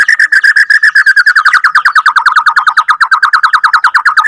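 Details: Rolling song, or ngerol panjang, of a Borneo F2 white-rumped shama: an unbroken rapid trill of short whistled notes, roughly eight per second, holding steady pitch for over four seconds.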